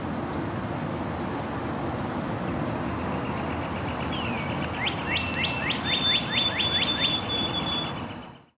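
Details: A male White-throated sparrow, white-striped morph, at Paletta Park, Burlington, Ontario, Canada, sings a quick run of about eight clear, down-slurred whistled notes and a thin high held whistle, over a steady roar of traffic.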